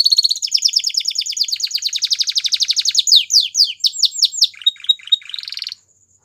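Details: Song of a white Belgian canary: a rapid pulsed trill that gradually changes character, followed by swooping downward notes and a short buzzy phrase before silence.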